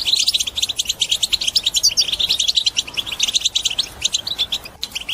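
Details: European goldfinch song used to encourage other birds to sing: dense, rapid twittering of short high notes with tinkling trills, continuous throughout with brief dips.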